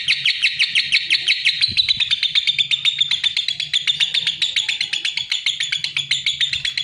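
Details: Lovebird singing a rapid run of shrill, buzzy chirps, loud at first and easing slightly, notes packed closely in a steady twittering chatter; a soft low hum and one brief knock in the background.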